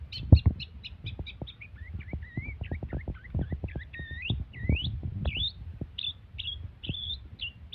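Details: Long-tailed shrike imitating canary and lovebird, pouring out a fast run of high doubled chirps that turns into twisting upslurred and downslurred whistled notes, over steady low tapping and clicking noises.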